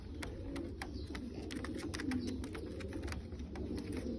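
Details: Bulgarian pigeons cooing together indoors: a steady, low, rolling murmur of overlapping coos runs throughout, with frequent sharp clicks and taps, likely from wings or the loft.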